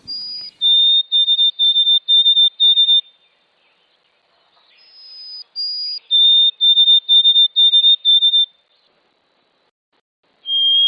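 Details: White-throated sparrow song, rendered 'Où es-tu Frédéric, Frédéric, Frédéric': pure, clear whistles, a higher held note dropping to a run of six quick, even lower notes. The song plays twice, then a third begins.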